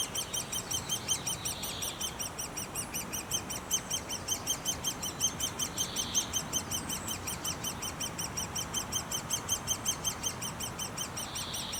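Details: Nest of great spotted woodpeckers: a long, regular stream of fast, high squeaky notes, joined now and then by short soft buzzy bursts.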